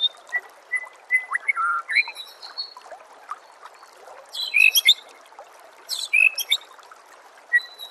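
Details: White-rumped shama song on a master recording for training songbirds: repeated short whistles, then dense bursts of high, rapid, buzzy and sweeping notes, with pauses between phrases over a continuous background hiss.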